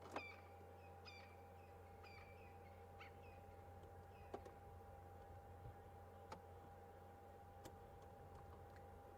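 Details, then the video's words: A francolin at sunset on a safari drive gives a run of short, harsh, grating notes in quick succession near the start, over a steady vehicle engine hum. "a francolin you can hear."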